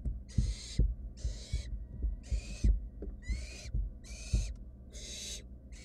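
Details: Barn owl chicks, wild, in a research nest box, still hunting for a mouse a sibling gulped down: six rasping hiss-screeches spaced about a second apart, with soft low thumps of movement between them.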